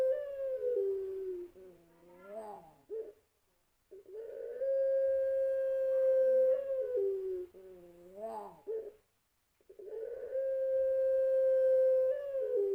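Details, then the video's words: Champion-line puter pelung dove repeating its long cooing lure phrase: a short bent warble and silence, then a steady hum held over two seconds ending in a drop, repeated for two further full cycles. "Suara Pancingan Puter Pelung Suara Panjang"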